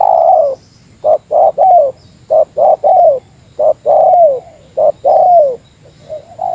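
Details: Spotted dove calling against a rival in meratus lure style: a long sliding coo, then several rounds of two or three clipped hoots each ending in a sustained, downward-curving coo.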